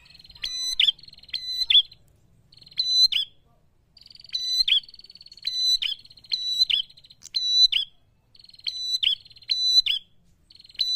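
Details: Prinia in full song meant to stir up rival birds: repeated sharp, ringing notes paired in twos over a continuous high buzzing trill, roughly every second, almost no background noise.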